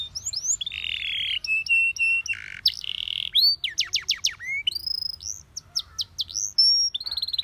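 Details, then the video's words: Canary song used for training canaries to sing: a long varied phrase with a buzzy sustained note, slurred whistles and a quick run of high, sharply rising notes, followed by sweeping downslurs. "Your canary immediately sings when you hear this canary chirp"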